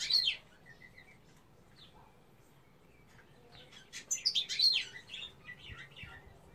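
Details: Female European goldfinch song, opening with a brief high twitter, a quiet pause with soft faint notes, then a lively burst of rapid tinkling chirps and trills that fades into scattered notes.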